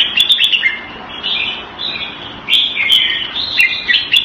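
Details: Red-whiskered bulbul, caged in Singapore and kept Thai style, February 2018, sings short slurred whistled phrases in three or four bursts with quiet gaps and clicking sounds between.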